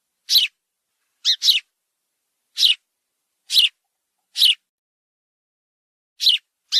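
A sparrow gives short, bright chirps, singly or in quick pairs, spaced about a second apart against a silent background.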